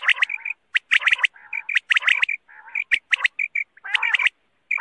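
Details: Night hunting lure of quail (batair) sounds: rapid runs of sharp, clipped chirps mixed with lower rasping notes, coming in uneven bursts roughly once a second, with short quiet breaks and isolated whistled notes between.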